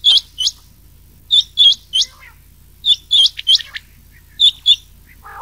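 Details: Rain quail and old quail voices mixed for night hunting in the summer season: crisp upward-hooked notes given in twos and threes, separated by short pauses, over a quiet background.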